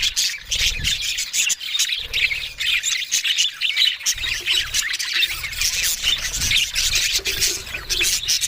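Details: Australian budgerigars chattering, rough squawky notes mixed with quick chirps in a constant warbling flow, with some low background rumble in places.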